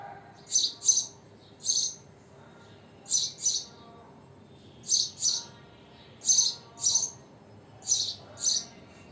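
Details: House sparrow (Passer domesticus), chirps.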